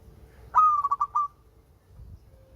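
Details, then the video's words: Song of a local zebra dove, a single cooing phrase of a sharp rising onset then four rapid bubbling pulses ending in a short drawn note, over faint low hum. "Perkutut LOKAL SUARA MERDU"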